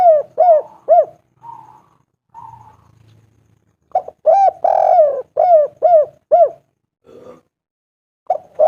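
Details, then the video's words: Spotted dove cooing to call a female, with a clear voice. Short low coos come in quick groups with a few softer notes between them. Around the middle, a longer sustained coo sits among a run of repeated coos. "Tekukur derkuku lokal gacor pol suara bening memanggil betina ampuh"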